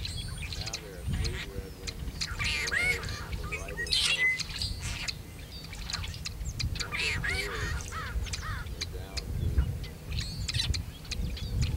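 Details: Singing and calling male tricolored blackbird, Kern National Wildlife Refuge area, California, 26 February 2003. Several harsh, nasal, wheezy song bursts recur every couple of seconds within a busy chorus of chips and clicks, with low rumble beneath.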